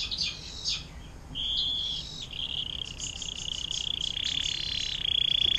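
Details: Canary singing in the long 'air mancuran' style used as tutor song for other birds: high chattering notes give way to a level ringing trill, then a long, fast buzzy roll that grows louder.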